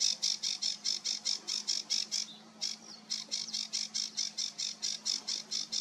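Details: Sedge warbler, 28 June 2022, delivering a run of harsh buzzy notes at a steady rhythm of roughly two to three per second, broken once by a short pause and a thin slurred note; low hum underneath.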